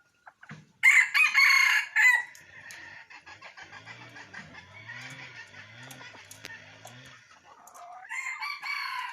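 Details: Decoy rooster, an F1 bird, recorded 19 December 2021, giving one loud, harsh, drawn-out crow of about a second with rich layered tones, followed by softer scattered clucks and low murmuring notes.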